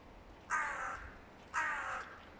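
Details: Crows calling loudly as two rival groups clash with nesting season near: two harsh, drawn-out caws about a second apart, each lasting roughly half a second, over quiet background.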